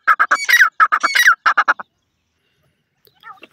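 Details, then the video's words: Grey francolin from Sindh calling with a burst of harsh, grating notes in quick triplets and squealing phrases, then falling silent apart from faint distant calls. "sindhi teetar awaz"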